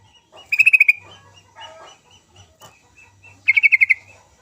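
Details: Sooty-headed bulbul lure song for prompting quiet bulbuls to sing: two short, bright, rapid trills of about seven notes each, three seconds apart, with softer low murmurs and scattered faint notes between them.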